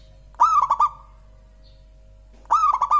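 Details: Local zebra dove song: two short phrases of mellow, bubbling coos, each a soft rising note followed by three quick rolled notes, separated by about two seconds of quiet.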